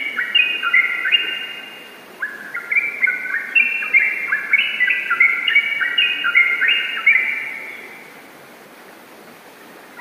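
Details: Energetic yellow-vented bulbul in rapid 'ropel' song. Crowded bubbly, descending phrases overlap for about seven seconds, then fade to near quiet.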